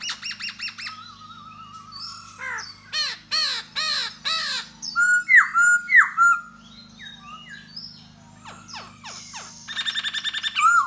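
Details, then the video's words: Courting khướu da bò laughingthrush, singing and dancing to attract a female, pours out mixed phrases: fast buzzy trills, loud downslurred bursts, swooping clear whistles and scratchy notes, with a low background hum throughout. "Khướu Da Bò Hót Múa Dzụ Mái"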